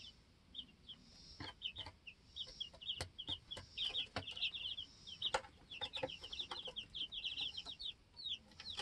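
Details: A flock of two-week-old baby chicks peeps busily on a homestead, with dense chains of high, falling cheeps building up and sharp pecking taps scattered throughout.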